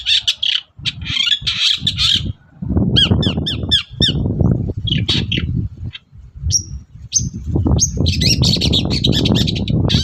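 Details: A vigorous long-tailed shrike in the morning, used as a lure for other shrikes: harsh chatter, then a rapid run of short descending notes, a few thin high whistles, and renewed scratchy squawking over low background rumble.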